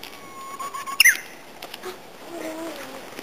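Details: Japanese bush warbler singing unseen in a thicket in a neighbourhood park, very close by: a steady, held whistle for about a second, then a quick rising and falling flourish, followed by softer faint whistled notes.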